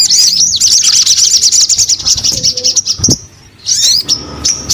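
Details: Crimson sunbird (sogon) giving a fast, high chattering trill of tightly packed notes, then a brief silence and a few thin whistled chirps.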